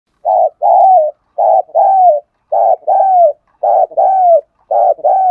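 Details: Spotted dove cooing and calling to lure wild doves: five paired phrases, each a short burry note followed by a longer, gently falling coo, repeated roughly every second over a silent background.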